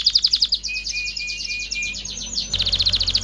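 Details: Excited canary song for mating stimulation: rapid high trill over a held low whistle, then a fresh burst of quick repeated notes, with faint background hum.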